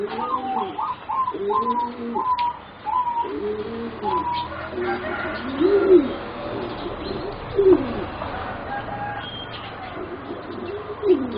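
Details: Four young singing zebra doves, bred for competition and about 3.5 to 4 months old, deliver repeated low purring coo phrases, with staccato higher notes, roughly every one to two seconds, several birds overlapping.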